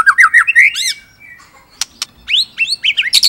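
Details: Singing murai batu, the white-rumped shama, in a songbird training recording: fast wavering warbles at mid pitch, a pause with two sharp clicks, then hoarse rising and falling slurred notes.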